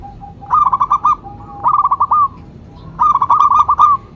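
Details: Zebra dove of local stock (perkutut lokal), a lure and prompting bird, uttering three bursts of quick staccato coos introduced by a faint low drawn-out tone, each burst about eight to ten notes.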